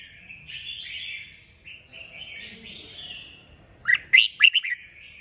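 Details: Red-whiskered bulbul's kích bổi song, played to stimulate birds to sing: gentle bubbling warbles for several seconds, then a rapid series of four or five loud, sharp, chirping notes, trailing off softly.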